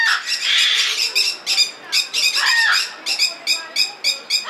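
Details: Blue-and-yellow macaw at Belgrade Zoo, Serbia, in February 2022, giving loud, grating squawks: a long rasping cry at first, then a rapid string of clipped, harsh squawks in quick succession.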